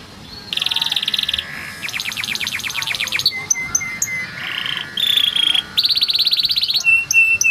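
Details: Song of a yellow canary made of varied tours: fast rattling trills, a quick series of sharp clicking notes, short pure whistles repeated at an even pace, and bright rolling trills returning after brief pauses.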